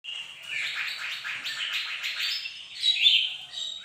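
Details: Bird-of-paradise singing on a bright morning: a continuous, dense run of high chattering and twittering notes, rising into a brighter squeaky burst near the end.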